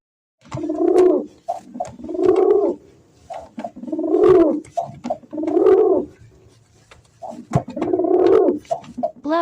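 A pigeon gives low, throaty, rolling coos in about five swelling phrases, roughly one every two seconds, with faint clicks between them.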